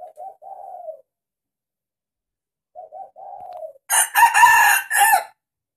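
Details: Captive pure red junglefowl: short husky notes of two brief pulses and a longer falling tone, repeated twice, followed by a loud, harsh, broadband crow in several rough segments lasting about a second and a half.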